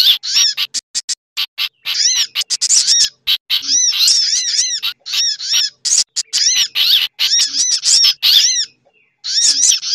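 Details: Busy sunbird lure mix with other birds such as bulbul chatter, meant to attract birds quickly: long dense runs of shrill ticking chirps and repeated downcurved whistles, ending after a short pause.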